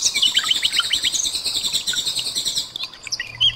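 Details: Tembakan burst song of a common nightingale, mixed with trickling water and cililin calls as a tutor for cage birds. A busy stream of very high, quick chirps and trills fades into sparser notes near the end.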